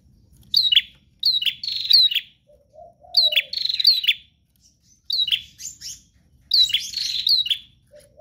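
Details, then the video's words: Prenjak, bar-winged prinia, in lively nonstop song: four dense bursts of high chirps and sharp slurred notes about every two seconds, with a brief low whistle between them. "Prenjak GACOR Ngotot Full Durasi Tanpa Jeda"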